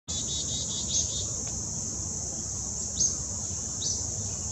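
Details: Juvenile Acadian flycatcher on the Wetmore Valley trail, CVNP, Summit County, Ohio, August 26, 2017: a few short, sharp upswept call notes, one brief run near the start, set against a loud, steady high-pitched insect drone.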